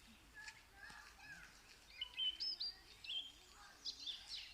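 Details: Bird giving short, high chirps and thin whistled notes, some sliding, bunched in the second half amid a soft background hiss; a few fainter notes come earlier.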